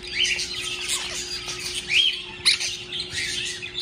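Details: Morning chorus of caged birds kept in a house, cheerful after waking: dense high twittering with a few sharp whistled notes standing out, and a constant low electrical hum.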